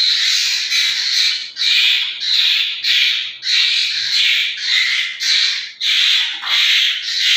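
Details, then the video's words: Asian koel chicks produce grating, noisy squawks in close succession, roughly one and a half per second, loud and rasping throughout. "کوئل کے بچے"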